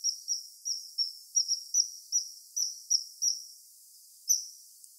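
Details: A common kingfisher in Wittlich, Germany, in 2017 gives thin, piercing high whistles, short and repeated at an uneven quick pace, sometimes doubled; nothing else stands out.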